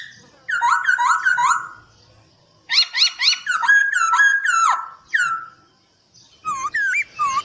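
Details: Master song of a Poksay Hongkong (black-throated laughingthrush), used for training birds. Rapid bursts of harsh, scratchy chattering notes, then a pause and a few looping whistled notes at the end.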